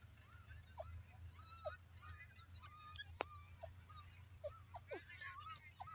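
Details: Several Irani dakhni teetar francolins give short, harsh, rising notes at an irregular pace, often overlapping, over a steady low rumble.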